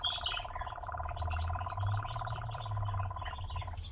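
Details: Nightjar on a steep bank: a continuous fast pulsed churr, like a purring motor, holds steady for nearly four seconds before stopping. A low hum and faint chirps from other birds sit underneath.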